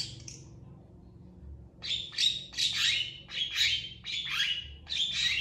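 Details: Long-tailed shrike (Lanius schach) in full song, fast and emotional, responding to other shrikes: harsh, scratchy, high bursts about one every half second after a quiet start, with a faint low hum beneath.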